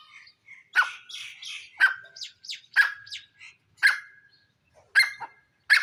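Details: Grey francolin, known locally as jungle teetar, giving loud, harsh, strident notes repeated roughly once a second, each a sharp rasping burst with a shorter follow-up note, against an otherwise quiet background.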